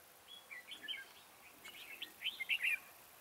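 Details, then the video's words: Red-whiskered bulbul decoy calling birds toward a trap, a run of chirpy warbled notes that builds to louder, quicker whistled syllables near the end. "Bẫy chào mào Mào boi 3 cao vút"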